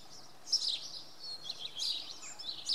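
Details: Early Monday morning song of a common redstart at Oksywie: quick, high chirping phrases with sharp accented notes, three short bursts in under three seconds over a soft hiss.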